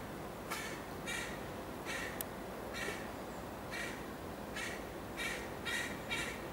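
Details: A juvenile carrion crow (Corvus corone) with white feathers, Amsterdam, Netherlands, 29 July 2013, gives about nine harsh, hoarse caws roughly every half to one second over a steady low background rumble.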